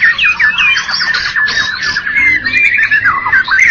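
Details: Short burst from a prize-winning white-rumped shama, Medan and Java types: clear looping whistles dipping and rising, mixed with brisk chattering notes in quick succession.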